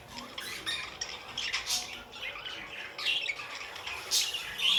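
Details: Pet budgerigars chattering indoors, harsh buzzy squawks and scratchy chirps in bursts, loudest near the start, middle and end, with a sharp squeak at the close.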